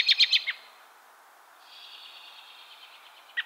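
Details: American robin during fall and winter: a quick burst of four sharp, high notes, then a faint thin drawn-out tone, and another sharp note starting at the end.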